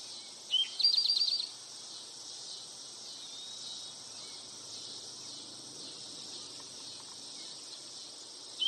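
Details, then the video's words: Male Eastern towhee giving its "drink your tea" song: a single sharp note, then a quick high trill, set against a steady loud insect hum. "Eastern towhee song | Drink your tea"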